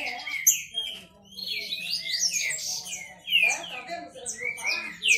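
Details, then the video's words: Green-winged saltators in a male contest give ringing whistled notes that sweep up and down, loosely spaced with overlapping high chips, over a faint steady low hum. "Esquente seu trinca ferro disputa e macheado"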